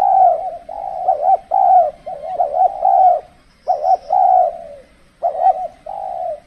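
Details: Decoy spotted dove calling during cold-season trapping, when birds are less bold; soft, throaty cooing phrases with hiccuping double notes ending in longer drawn coos, and a faint high twitter once.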